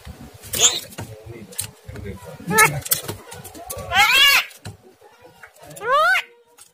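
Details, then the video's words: ['Starling sounds meant to provoke a lazy, caged starling into singing and showing its fighter voice: loud, harsh upswept harmonic screeches near four and six seconds, with scattered softer chatter and low rumbling between them.'] "pancingan jalak kurang rajin dan gacor"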